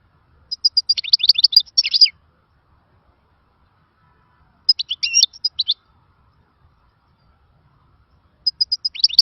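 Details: European goldfinch in khalawi song style, said to be a lost song of the old days: three short, bright bursts of twittering and buzzy chirps, spaced several seconds apart, with quiet in between.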